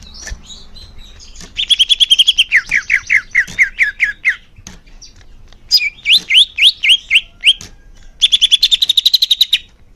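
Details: Murai daun song for young birds: a run of rapid buzzy notes, a series of falling whistles, a rising chattering phrase, then another fast trill.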